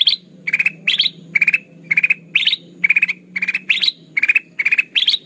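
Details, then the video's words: A lively, chattering kutilang emas (ruby-throated bulbul) used to lure birds into traps. Steady series of short rattled bursts, each of four or five clipped notes, about two per second, with occasional higher up-slurred bursts and a faint low drone. "Suara pikat kutilang emas gacor"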